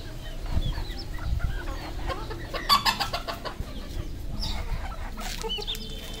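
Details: Farmed red junglefowl in Cambodia calling together, a mix of low clucks and thin high peeps, with a burst of louder clucking midway over a constant low hum.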